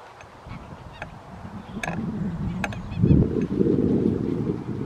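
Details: Tundra bean goose recorded at Wimpole Hall, Cambridgeshire, in December 2020: low background murmur building into loud, harsh honks during the final two seconds.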